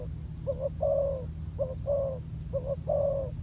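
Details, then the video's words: Training on land, a spotted dove decoy gives three clear coo phrases, each a short note leading into a longer mellow coo that drops slightly in pitch, over a low constant hum. "លលកធ្នាក់ចុះដីចេញក្បាច់បណ្តើរៗហើយ - Pikat Terkurkur trianing on land"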